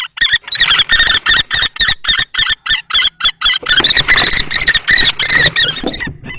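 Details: Two male common kestrels clash over a nest box at Théding on 20 March 2024, an older adult against a juvenile-plumaged male. Rapid, shrill, rasping notes pour out almost nonstop, then a rougher, blurred stretch near the end.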